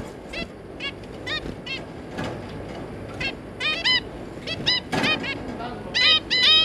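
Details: Two zebra finch parents and three juvenile young on 3 July 2022 trading rapid nasal honking calls, scattered at first then in quick clustered bursts that grow louder toward the end.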